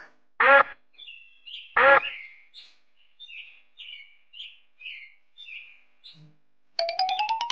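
Two loud, nasal, raspy duck quacks a second apart, followed by soft high twittering chirps and a wavering tonal note at the end.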